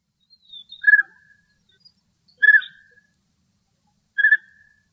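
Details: European bee-eaters (Merops apiaster), male and female, in Greece, giving three short, rolling, liquid calls about every one and a half to two seconds, each with a faint higher note beside it.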